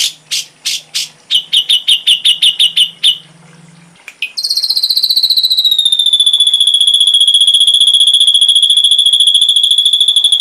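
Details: Ashy drongo, complete tutor recording for songbirds: loud chips, then a fast run of high notes, a brief gap, and a long, steady, rattling high trill.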